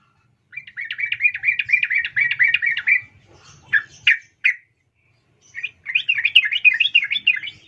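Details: A female sooty-headed bulbul calls to a male with a fast, rattling string of chirps lasting about two seconds, a few sharp scattered notes, then another rapid chattering burst; a soft low rumble underneath.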